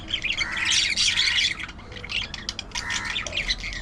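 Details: Budgie chatter with dense, rapid scratchy warbles and squawks, a loud burst early on, then quieter buzzy chirps and clicks in quick irregular succession.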